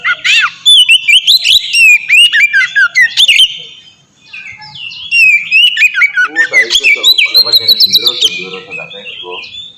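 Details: Kacer (oriental magpie-robin) ngeplong song, a master lure for training kacer to sing: rapid whistled and chipping phrases, a short silence, then a second rich burst with faint voices in the background.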